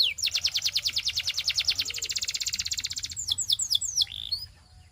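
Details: Song of a Belgian canary: a steady rapid trill of high, sharply repeated notes lasting about three seconds, followed by several swooping whistled slides and a short held note.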